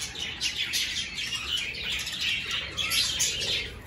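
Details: Many budgies chattering nonstop in an aviary where clay pots have been hung for the breeding season: a bright, busy wash of high twitters and warbles with no pauses.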